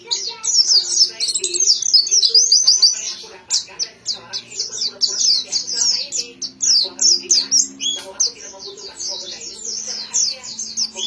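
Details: Singing white-eye delivering a long, dense stream of thin, high chirps and slurred twitters with brief pauses. Louder bursts come early, then quicker repeated chips. A steady low droning tone runs in the background.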